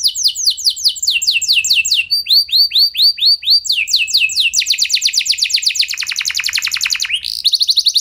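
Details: Singing canary whose song serves to stimulate other canaries to sing: series of high downslurred whistles, a slower run of separated notes, then fast dense buzzy rolls dipping lower before a rising sweep.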